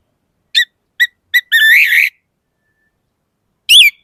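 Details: Orange-headed thrush, anis merah, in song: three short, loud whistled notes spaced about half a second apart, a longer wavering whistle, a pause, then one final sharp note.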